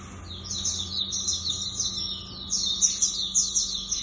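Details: Lemon-bellied white-eye (auriventer), kept as a songbird, delivering a rapid, high twittering song of dense chirps and trills in two bursts, with a steady electrical hum underneath.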